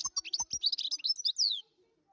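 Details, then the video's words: Wild European goldfinch singing a quick, bright, tinkling twitter of high chirps and trills, closing with a longer descending slurred note after about one and a half seconds. Silence follows. "تغريد الحسون الخلوي"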